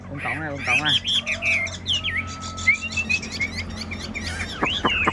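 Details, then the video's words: Chinese hwamei singing at a caged singing contest, brief whistled and warbled phrases mixed with a man talking at the start and close, plus a low background hum. "Họa mi hót đấu giàn"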